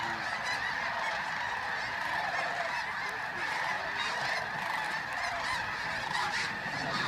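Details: Geese taking flight at dawn in great numbers at Bosque del Apache's Flight Deck, New Mexico, 10 November 2013; unbroken roar of countless honking birds, rising and falling in loudness throughout.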